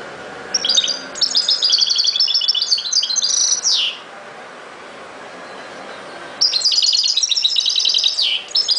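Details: Chardonneret song: long, varied phrases of rapid tinkling twitters ending in a downward slurred note, a pause of over two seconds, then another busy twittering run, slight background hum.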